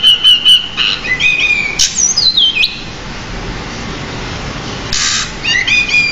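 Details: Bar-winged prinia singing in a song-training recording: quick repeated chirps, a descending run of whistled slurs, a quiet pause, a brief noisy burst and final rising chirps.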